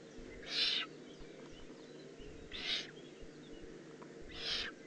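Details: Three harsh, airy rasps about two seconds apart from a young Eurasian eagle-owl in the Eifel, 18 June 2016, over a steady low hum.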